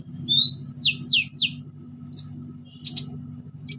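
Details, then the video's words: Energetic orange-headed thrush song with mimicked fill-ins, meant to stimulate silent birds to sing: a short rising whistle, three fast descending sweeps, then buzzy high bursts separated by pauses, against a low background hum. "KONIN GACOR NEMBAK ISIAN PANCINGAN KONIN MACET BUNYI"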